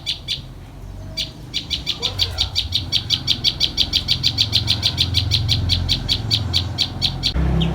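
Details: Common tailorbird chicks being fed by a parent carrying a worm: a long, insistent chain of rapid high chirps, roughly three per second, over a low rumbling background.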